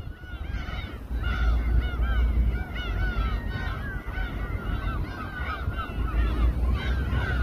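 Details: Many gulls calling together over a boat where raw fish is sliced at Samgilpo Port, Daesan-eup, Seosan, South Chungcheong, Korea: dense overlapping harsh arched cries, several per second, over a steady low engine rumble.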